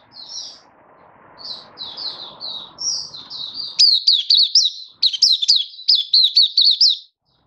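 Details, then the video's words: Malaysian white-eye, a hobby bird in Singapore on warm, sunny 20 March 2023, starts with soft spaced twitters over faint rustling, then breaks into loud, rapid, sharply repeated high chirps. "Malaysian Mata Puteh Happy Buka Sing"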